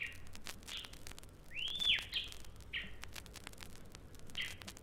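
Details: Rüppell's Robin-Chat in East Africa mimicking a small dog's barks and its owner's commanding whistle: short harsh yelps and a loud rising-then-falling whistle, over faint crackling background noise.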